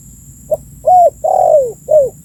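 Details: A full spotted dove call phrase, played as a lure for birds: a short soft note, then a steady coo, a long coo falling in pitch, and a final short falling coo. Low hum beneath.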